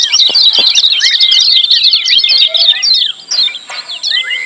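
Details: Noisy, crowded 'ciak' chatter of lemon-bellied white-eyes: rapid high chirps packed densely together, with a few longer flat whistles, used as training audio for silent birds.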